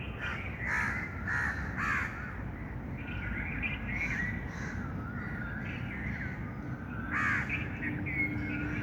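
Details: A noisy gathering of birds, with clusters of loud harsh calls at the start and near the end and steady overlapping chatter between, all over a low rumble.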